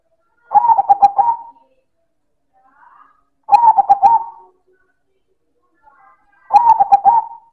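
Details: Zebra dove of the silver variety, a local perkutut, cooing loudly: three phrases about three seconds apart, each a burst of rapid pulsed coos trailing into a held note, with faint soft sounds between.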